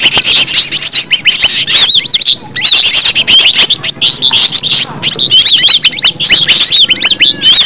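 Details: Green leafbird, original natural recording for luring a leafbird to sing; a long, loud high warble of twisting whistles and chips, with a short break near two and a half seconds, then looping slurred phrases.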